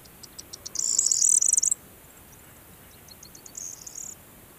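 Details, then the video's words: A corn bunting sings a few dry ticks that speed into a high, jangling rattle like shaken keys, lasting about a second, and a fainter similar phrase follows. "Corn bunting singing \ Presura sura cantand"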